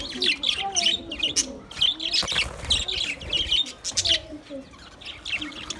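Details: Several budgerigars chattering to each other, a busy stream of short warbled chirps, clicks and whistles, irregular and overlapping, with faint low murmuring underneath.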